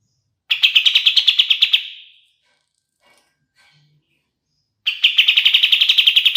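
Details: Kapas tembak bulbul song for training other songbirds: two bursts of fast, buzzy chipping, each note rapidly repeated at one pitch, separated by about three seconds of near silence.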